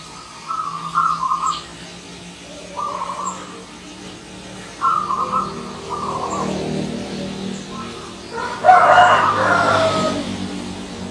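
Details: Zebra dove, local and wild, singing in the morning with several brief rolled coo phrases spaced a couple of seconds apart, then a loud broadband rush like a passing vehicle near the end.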